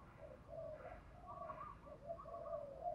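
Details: Spotted dove cooing in the thổ pha and hạp bổi voice styles, said to draw rivals quickly to fight; faint, low mellow coos follow one another in a steady run over a constant background hum.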